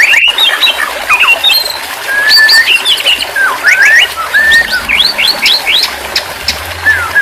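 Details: White-rumped shama singing, used as therapy audio for a stressed shama that has stopped singing: varied whistled phrases with sliding up-and-down notes and quick repeated slurs, steady faint background hiss throughout.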